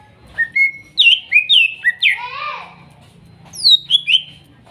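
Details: Greater green leafbird from Kuningan forest stock, spotted and masked birds, therapy for a bird that quit singing: quick series of rising and falling whistled slurs, a rough descending burst, then three more whistled notes after a pause.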